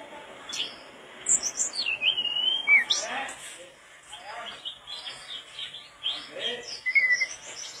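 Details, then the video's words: Mangrove blue flycatcher (tledekan bakau) singing persistently, recorded for training other birds: a sliding whistle, then scattered high chirps and short warbled notes over a faint background hiss. "tledekan bakau gacor teler"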